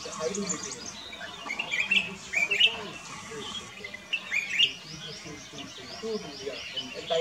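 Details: Black-crested bulbul singing at Camp Hornbill, Kyari Village, Corbett National Park: bright, short whistled chirps in loose bursts, some rising and falling, over a steady low murmur resembling human voices.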